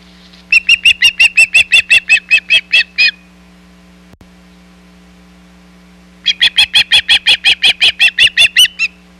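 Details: Hog Island osprey nest, 17 July 2020, shad arriving. Two long strings of loud, evenly timed whistled chirps, roughly three per second, are separated by about three seconds of quiet over a low steady hum.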